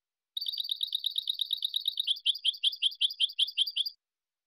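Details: European goldfinch singing for silvestrismo: a rapid, metallic, evenly repeated chirp series that slows slightly toward the end, bright and high, with no other noises.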